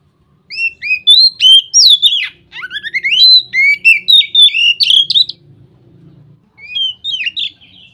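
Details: Ngeplong song of an Oriental magpie-robin, said to trigger other magpie-robins into song: a long, varied run of slurred whistles and rapid notes lasting about five seconds, a brief quieter phrase after it, with a soft low hum.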